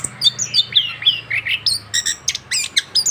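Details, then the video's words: Orange-headed thrush, young kept bird after moult, delivering quick sharp whistled and squeaky notes in a steady jerky run. "kicauan anis kembang muda ngerol pasca ganti bulu"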